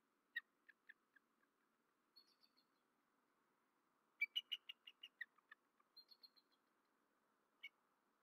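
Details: Bald eagle heard at night at a nest in Rome, Georgia, on 13 March 2024. The incubating bird is roused after midnight, and later the male vocalizes. Faint high chirps are followed by a rapid descending series of piping notes over a steady low hum.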